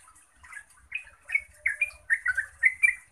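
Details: Yellow-vented bulbul, Pycnonotus goiavier, in rapid 'ngeropel' song meant to trigger replies from other bulbuls. Short, slightly buzzy notes start softly and grow louder and denser, coming several per second by the end.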